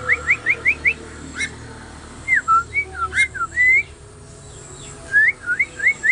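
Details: Oriental magpie-robin song, used as learning material to bring a bird into full ngobra singing: quick runs of clear rising whistles, then slurred, twisting whistled phrases after a pause, ending with another fast series of rising notes over steady background hiss.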